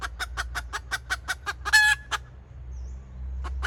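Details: Female red junglefowl decoy hen giving the kataak call, 2024: a fast series of about ten sharp, even clucks over two seconds. They end in one harsh, noisy squawk, then quiet with low rumble and a last faint note.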